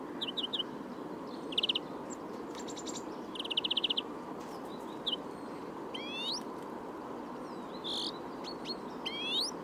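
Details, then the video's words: A European Greenfinch (Carduelis chloris) sings short, rapid twittering trills, then several rising buzzy wheezes, over a steady low background hiss. "Зеленушка обыкновенная"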